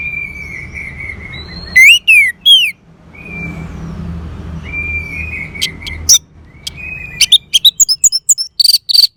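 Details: Orange-headed thrush (anis merah) song as therapy playback: long, steady, thin whistles alternate with a few loud swooping notes, ending in a rapid burst of sharp high chirps over low background noise.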